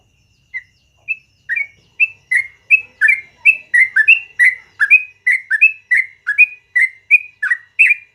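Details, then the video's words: A yellow-vented bulbul in full morning song, long rapid style: a steady run of crisp whistled notes, some doubled with a lower partner note, repeating about three times a second and growing louder after the first few. "BURUNG TRUCUKAN GACOR ROPEL PANJANG DI PAGI HARI"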